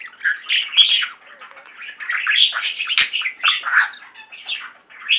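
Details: Singing flock of pet budgerigars producing a continuous, busy chatter of buzzy notes, clicks and short whistled chirps with no real pauses.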